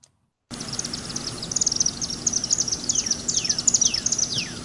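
Chimney swift giving rapid, high, thin chattering twitters, with a cardinal's loud down-slurred whistles in the background.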